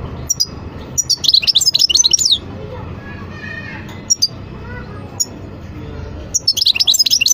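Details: European goldfinch singing two lively bursts of rapid, high, jingling twitters, with scattered single chirps between them and a soft low hum underneath.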